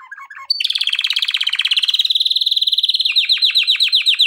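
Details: Male canary singing for training: a few short notes lead into a loud, very fast rolling trill, ending in a series of quick downward-sweeping notes about four per second.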